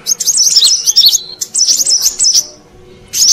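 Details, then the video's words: High, sharp twittering of a Brown-throated sunbird, used in Indonesia to lure wild birds: two busy runs of squeaky chirps, a quieter lull, then a final short burst. "Suara Pikat Burung Kolibri Kelapa Manggar"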